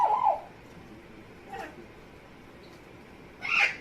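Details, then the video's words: Amazon parrot kept as a pet producing funny noises: a loud grating squawk at the start, a brief faint note midway, then a harsh, higher rasping squawk at the end, with quiet room background between. "Hecko is making funny noises"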